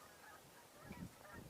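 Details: Canada geese give a few faint, nasal honks in the distance, mid-pitched and brief, on a winter day, 2 January 2021, over steady outdoor hiss with a hint of human voices.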